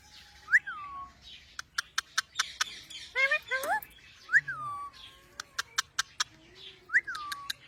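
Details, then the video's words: Pet talking parrot known as Mian mithu gives repeated falling whistles, about three across the stretch, with a burst of rising harmonic notes in the middle and scattered sharp clicks throughout. "Talking parrot. Mian mithu."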